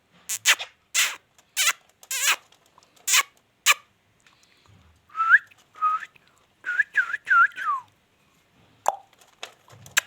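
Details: Indian ringneck parakeet: a burst of sharp clicks, then a series of short whistled notes with quick rising-and-falling slurs and more clicks near the end. The room is otherwise quiet, and no clear words are heard.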